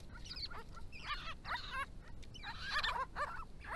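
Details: Grey-crowned babblers, an endangered family group in Victoria, calling to each other at water in hot weather; irregular bursts of squeaky, nasal chattering notes with sharp clicks between them and a louder cluster near the end.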